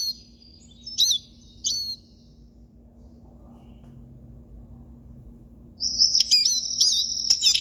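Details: Siskin song: a few short, high twittering bursts at the start, a quiet gap of about four seconds, then a sustained, dense, high-pitched twittering warble broken by sharp chirps until the end, over a faint low hum.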